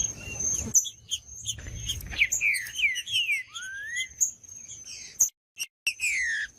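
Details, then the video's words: Green-winged saltator singing, used to stimulate other saltators to sing: a loose series of clear whistled slurs, mostly falling, one rising, with brief gaps. A steady high-pitched whine and a few sharp clicks sound throughout. "TRINCA FERRO PARA ESQUENTAR TRINCA FERRO COM TRINCA FERRO CANTANDO"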